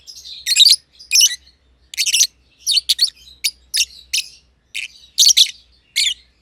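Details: Green personata and green pied personata lovebirds, close companions playing in an aviary, chirping at length. Rasping, buzzy high notes come in clustered bursts roughly every half second, some as rapid double or triple chirps.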